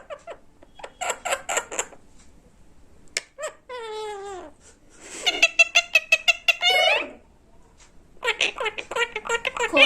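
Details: A talkative pet parrot chatters indoors in a small room with bursts of speech-like syllables and a squeaky, falling whistled sweep. These are followed by rapid, repeated clipped notes and more babbling phrases.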